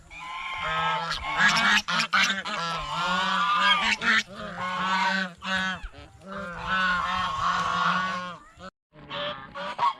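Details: A flock of geese at a fish pond, eating bread and fresh vegetables, honks in repeated loud bursts over ten seconds, harsh overlapping calls broken by short silences, with a clear pause near the end.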